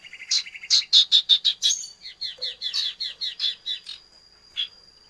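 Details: Common iora, locally sirtu or cipoh, giving a fast run of bright, chirpy chattering notes, about three per second. It begins with a brief buzzy trill and fades into a few separate chips.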